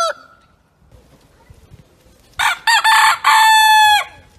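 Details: A rooster crows once in a loud, harmonic cock-a-doodle-doo lasting about a second and a half, broken into several bursts after a quiet stretch. A short, faint call opens the recording.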